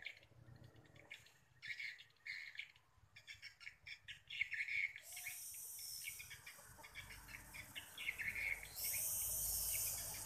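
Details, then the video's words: Swiftlets calling on an evening at the end of October, 31 October 2021. Short chirps repeat quickly and irregularly, with bursts of steady hiss between them. "respon walet akhir okt 311021 petang"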